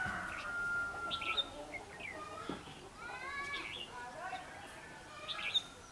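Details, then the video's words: Red-whiskered bulbul fighting song at a bird trap on 21 December 2015, decoy bird challenging a wild bird: bright warbled, slurred whistled phrases with short chirps and rising notes, a man speaking briefly near the start. "Bẫy đấu chim chào mào"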